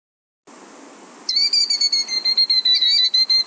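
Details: A killdeer, a year-round resident shorebird in Nevada, gives its shrill call, a rapid run of piercing notes about three each second, after a moment of faint background hiss; it calls shrilly when someone nears its ground nest in spring.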